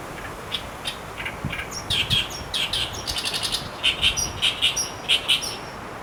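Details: Calls of an Asian brown flycatcher, recorded on 26 May 2015: scattered thin chips followed by brief rapid trills and spaced sharp notes.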